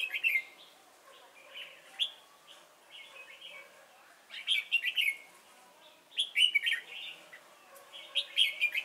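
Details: Red-whiskered bulbul decoy luring wild birds at Chùa Hương, Vietnam, 28 November 2017; lively warbling bursts of chirps and slurred whistles, coming in clusters every one to two seconds.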